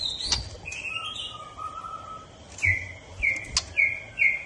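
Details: White-rumped shama singing long sweet whistles, then a quick series of four or five short down-slurred notes repeated about every half second, with sharp clicks in between.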